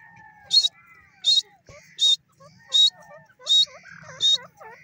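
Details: Loud harsh notes of a grey francolin (teetar) repeated at a steady rhythm, with a busy background of smaller birds' twittering and whistled chirps.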